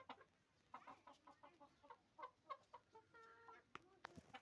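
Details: Hen in a village setting giving a quick run of short, soft clucks, roughly four a second, ending in a brief drawn-out harmonic note, with scattered clicks and knocks nearby.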